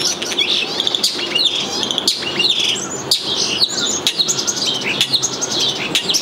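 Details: A starling returning to a nestbox on 16 May 2020 chatters nonstop in high, busy whistles, clicks and rattling trills, mimicking a ringing phone amid quacks, lip smacks, peeps, sneezes and beeps.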